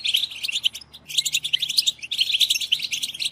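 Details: European goldfinches chattering as a group, the batbata used to drive goldfinches to sing: thick, high, tinkling twittering, a brief pause near one second, then a steady run of rapid chirps.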